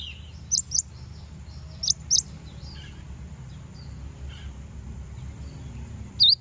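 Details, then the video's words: Konin song for provoking rival birds. Two pairs of high, sharp chirps sit about a second apart, followed by a lone lower, V-shaped note near the end. Steady low background hum throughout. "Konin bunyi manggil lawan"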